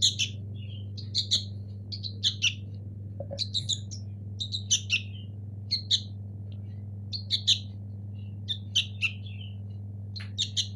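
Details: Local sooty-headed bulbul chicks make scattered raspy chirps and short squeaky notes at uneven intervals, with a low steady hum throughout.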